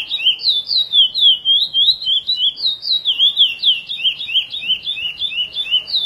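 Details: Curió praia song of a chestnut-bellied seed finch, edited as a tutoring track: loud continuous whistled warbling, notes sliding down and up in quick succession, ending with faster jerky twitters.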